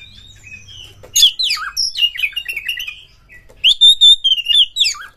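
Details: Oriental magpie-robin (Copsychus saularis), song: lure to make kept males sing in mating mood.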